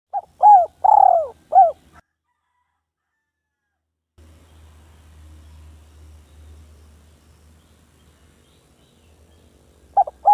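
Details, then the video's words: Spotted dove, a village bird, calling to a rival: a short burst of three or four low cooing notes in the first two seconds, then near silence with a faint low hum, and one more clipped coo at the very end. "Burung tekukur kampung memanggil lawan"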